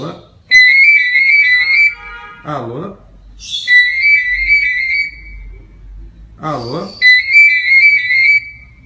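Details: Cockatiel singing long, steady, high whistled notes in three phrases, with brief bursts of human speech between them.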